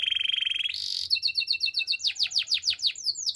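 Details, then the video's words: Singing canary: a rolling mid-high trill, a short noisy buzz, then a series of paired high notes followed by sweeping downslurred whistles repeated about every fifth of a second, clear and loud. "Super relaxing canary birds sounds"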